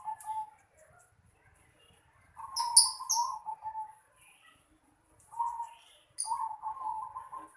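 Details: Low, purring coo phrases from a zebra dove in a house yard, coming in short bursts between pauses, while another bird adds thin, high, sharp chirps twice.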